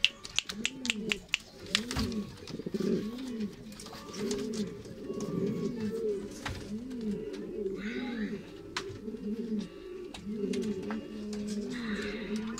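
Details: Male Gaditano pigeon, black, from 2018 and in strong breeding condition, coos steadily in low arched phrases about once a second, preceded by a burst of sharp clicks, with faint rustling between phrases.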